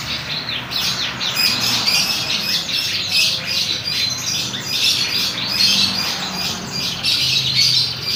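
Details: Young canary practising song with dense, unbroken high twittering and fast rattling trills that swell and fade repeatedly over eight seconds.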